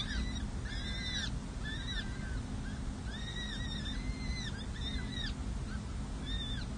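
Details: Nestling peregrine falcons, six and seven days old, calling at a San Jose city hall nest while being fed in May 2024: loud, overlapping wavering whines repeated in bursts, backed by a strong low drone.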